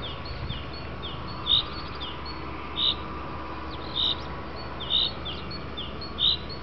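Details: Common chaffinch calling in the afternoon: short, bright call notes repeated about every second, with faint sliding notes from other birds over a steady low hum.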